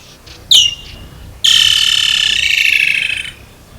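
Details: Woodland kingfisher, Africa: one sharp high note, a pause, then a long buzzy rattling trill of rapid pulses that gradually slides lower and fades after about two seconds.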